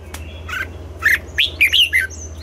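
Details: Red-whiskered bulbul in morning song training, style called double-note song: a short run of bright, warbled chirps rising and falling between low and high, ending in a quick cluster of whistled notes, with a steady low hum beneath.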